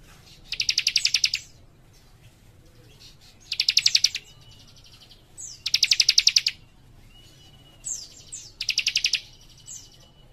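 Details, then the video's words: Young leaf warbler singing energetically in tight, rapid bursts: four dense buzzing trills of fast high pulses spaced about two and a half seconds apart, separated by thin whistled slides and soft twitters. "Cikris Muda Gacor Nembak Rapat"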